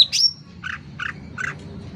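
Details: Sooty-headed bulbul singing vigorously and loudly: one sharp high whistled chirp, followed by three evenly spaced, rounder mid-pitched chips about a third of a second apart.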